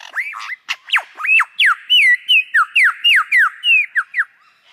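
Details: Lyrebird pouring out loud, ringing whistled notes, each one swooping down or up and repeated about three times a second in a steady run, with faint clicks behind.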